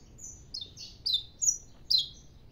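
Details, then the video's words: Saffron finch singing as the morning sun comes out: a drawn-out high whistle followed by several slurred, falling notes roughly every half second. "canário da terra cantando"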